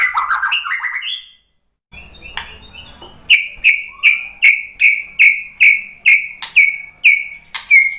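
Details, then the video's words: White-rumped shama, a murai batu, singing in response to a lure recording: a rapid varied warble of whistled notes, then a short gap and a run of about ten loud sharp whistled notes repeated roughly every half second. "biar BUNYI ‼️ MURAI BATU jadi kepancing NYAUT ikut GACOR ¦ PANCINGAN MURAI ¦ SHAMA BIRD"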